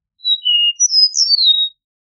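An Eastern Meadowlark sings a clear, slurred whistled phrase of four or five notes, the last ones sliding downward; no other sounds.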